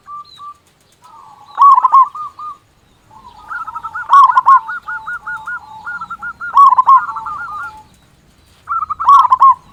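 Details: Zebra doves, a local strong-voiced singer used to stir silent or stressed doves into singing, give loud bursts of quick, rolling, stuttered coos about every two and a half seconds, with softer overlapping coos between them.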